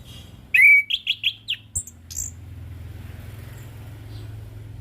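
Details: Orange-headed thrush singing 'ngeplong' style: one loud whistle followed by four quick bouncing whistled notes and a couple of high squeaks, then a low rumbling background for the remaining seconds.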